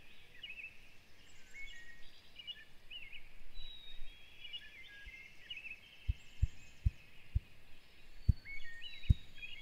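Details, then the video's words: Male ruffed grouse drumming from a log behind a house in Maine: a run of deep, hollow, low-pitched thumps about half a second apart that carry far, with small songbirds chirping over a low outdoor rumble. "Ruffed Grouse Drumming"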